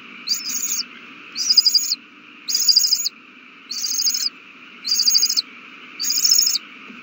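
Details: Feeding owl nestlings, March 27, 2020: six rhythmic, harsh hissing screeches, each roughly half a second long, repeated at a steady pace over a constant faint hum.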